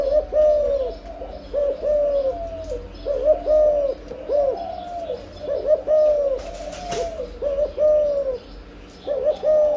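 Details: Spotted dove during breeding, giving the âm lối style of coo: low, mellow, slightly wavering coos that rise then fall, repeated steadily about eight times over ten seconds, with a brief sharp clatter near the end.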